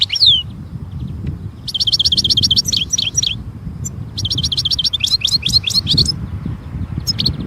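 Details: European goldfinch singing in nature: a sharp opening note, then two long runs of fast, buzzy trills of identical high notes mixed with tinkling twitters, separated by a brief gap.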